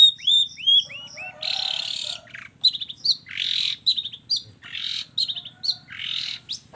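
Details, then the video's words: Long-tailed shrike singing varied filler phrases (kombinasi isian): looping curved whistles, then repeated harsh grating buzzes alternating with short twittered notes. "suara kicau cendet gacor FULL KOMBINASI ISIAN AMPUH"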